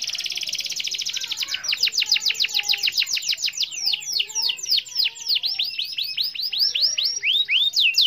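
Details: Canary in full song with a long roll for calling a rival. It opens with a dense buzzing trill, then breaks into a rapid series of high descending sweeps, about three to four per second, sustained for the whole stretch.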